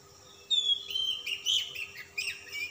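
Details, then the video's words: Oriental magpie-robin singing insistently with rich content: a pure whistled note followed by chattering, buzzy bursts and sliding high whistles in quick succession, loud and close, over a low steady hum. "kacer ngotot ngobra isian mewah kacer Type dingin"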